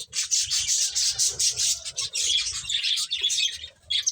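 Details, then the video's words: Several finches feeding, keeping up a continuous run of high, rapid chirps and twitters with almost no pause. "Cute Birds Chirping Sounds | Beautiful Finches Eating"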